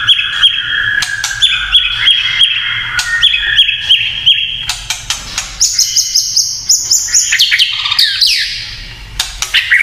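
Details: White-rumped shama giving its kretekan song, said to stir other shamas into agitation: long clear whistled notes held at steady pitch, then sharp high notes and quick descending slurs, with scattered clicks throughout.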